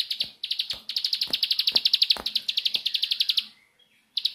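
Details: Nembak-style song of a Bar-winged prinia: an almost unbroken rapid rattle of bright, high-pitched notes lasting over three seconds, interrupted by several loud ticking clicks, then a brief pause before another burst begins.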